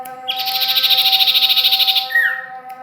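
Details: From Ajibarang, a common iora (cipoh, sirtu) gives one sustained, rapid, buzzy trill lasting nearly two seconds, ending in a falling slurred whistle, with constant low tonal hum behind it.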